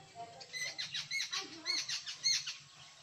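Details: Jungle babbler in Konkan, India, giving a quiet run of harsh, scratchy chattering notes repeated in quick uneven succession, some upper notes thin and squeaky, over a low steady background hum.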